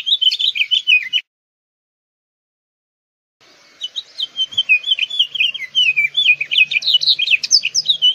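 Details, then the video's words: House finch (Haemorhous mexicanus) sings a long, rambling warble of quick, slurred high notes that rise and fall, broken by a two-second pause, over a faint low hum. "House Finch Song! House Finch Call! House Finch Sound!"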